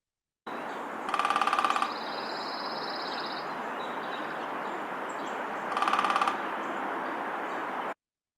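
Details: Red-bellied Woodpecker (Melanerpes carolinus) drumming, Kentucky: two fast, even rolls, each under a second, about five seconds apart, over a steady hiss with a thin high note between.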